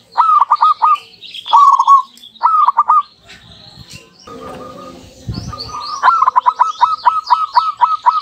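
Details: A duet of two local zebra doves calling back and forth, used as a lure: several clipped rolling coo phrases, a pause filled with rustling and handling noise, then rapid repeated coo bursts return with high chirps from other birds.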